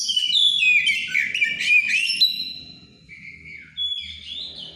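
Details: Shama over-stimulated by breeding condition singing loud ngeplong song: dense whistled and trilled phrases for two seconds, then slower, spaced clear whistles.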